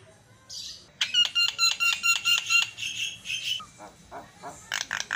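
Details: Lively Javan myna (jalak kebo) song used to provoke other mynas: a rapid, regular volley of ringing metallic notes, then softer chattering and a final burst of bright chips.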